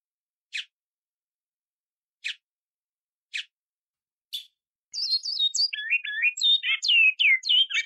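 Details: Flute-type Araguari short song of a great-billed seed finch, played to train young birds: four separate sharp call notes at irregular spacing, followed by three seconds of quick, melodious whistled phrases swinging between high and lower notes.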